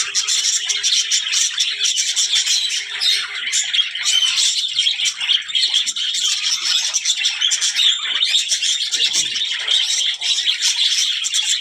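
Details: Continuous budgerigar chatter, presented as talking: a thick, high warbling babble of overlapping chirps, rasps and squeaky notes, evenly loud throughout with brief louder bursts.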